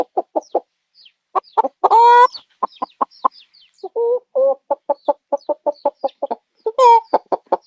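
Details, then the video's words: Domestic chicken clucking in rapid, repeated bursts, broken by several longer, strained cackling squawks; a steady farmyard chatter with no other sounds. "the CHICKEN SOUND"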